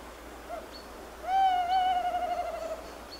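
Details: Tawny owl: after a faint short note, a long, rich, steady hoot begins and is held for about a second and a half, slightly wavering and fading at the end, over a quiet background.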